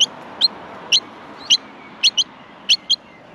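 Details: Australian miner nestlings begging for food in the nest, giving short high chirps, some doubled, spaced roughly every half second over a steady background hiss.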